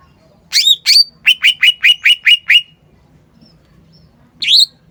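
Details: Cucak ijo sings two swooping whistles followed by a steady run of seven short identical chirped notes, a pause, then one more swooping note.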